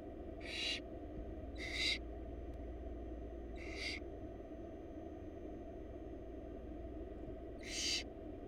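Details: Wild barn owl nestlings in Florida beg from their feeding mother with four brief rasping hisses, three within the first four seconds and a last one after a long pause, over steady low hum.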